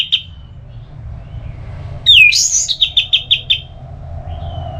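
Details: Orange-headed thrush (anis merah) song played to make another bird sing: a sharp falling whistle, then a quick series of about seven short clipped notes, with steady low hum beneath.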